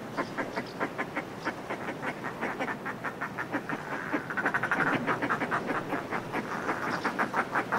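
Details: Northern fulmars in groups displaying on cliff ledges, recorded close up: rapid, harsh, cackling pulses repeated almost three times a second in long rolling bouts, swelling louder midway, with steady sea wash beneath.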